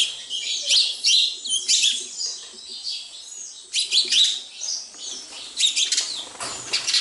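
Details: Sparrows chattering at a house: bright, high chirps in clustered bursts roughly every second, several birds overlapping, with brief quieter gaps between volleys.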